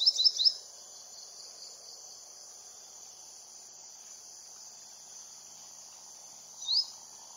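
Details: An olive-backed sunbird (Cinnyris jugularis) calls with a quick burst of three sharp, high, upslurred notes, then one more after a pause, over a steady shrill insect drone.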